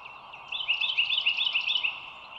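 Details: Bald eagle on the Dulles Greenway nest camera, overhead view, 25 March 2022 at 07:16. It gives a loud, high, chattering run of quick piping notes lasting about one and a half seconds, over a steady hum and distant birdsong.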